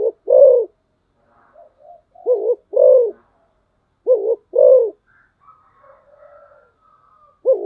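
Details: Spotted dove kept as a decoy bird, giving loud low coos in pairs, a short double-humped note followed by a longer arched one, repeated with gaps, with faint soft chirps and whistles from other birds between.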